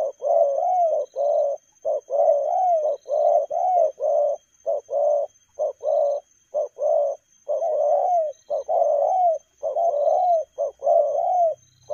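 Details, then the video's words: Spotted dove in the speedy 'lèo gù' cooing style, loud mellow coo pairs, each a short note followed by a drawn-out falling one, repeated steadily and rapidly throughout. "Nết chơi nhanh lẹ, gù tốc độ.Clip445/ Nước chơi lèo gù."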